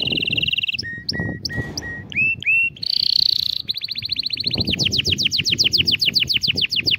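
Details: Canary song for teaching young ones: a buzzy trill, spaced clipped chirps, rising whistled notes, a fast rattle, then a long run of quick repeated falling notes, loud and close.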